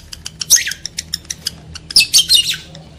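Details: Lovebird call used to trigger mating urge in males and females: a run of sharp ticking chips, then a cluster of piercing, scratchy squawks near the end.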